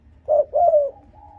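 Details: Spotted dove cooing, used to provoke and lure rival wild males: two low, hollow coo notes, the second longer and gently falling, then a faint low hum.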